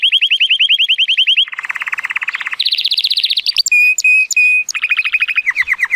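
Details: Timbrado Español canary, a male born in 2018 and scored 83 points, in full song on a sunny day: rolled trills shifting between lower and higher pitches, clear bell-like pings, then a falling trill.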